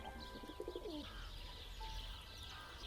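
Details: A domestic pigeon at a dovecote in a small Russian town in winter, where the pigeons are eating poured grain, gives a brief, low cooing phrase of quick pulsed notes ending in a soft falling coo, over steady outdoor hiss and faint chirps.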